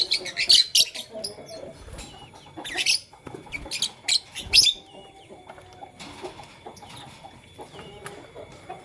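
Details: Morning chirping of Fischer's and masked lovebirds: bursts of loud, high, rasping chirps in the first half, then quieter sparse twitters and a faint whistle.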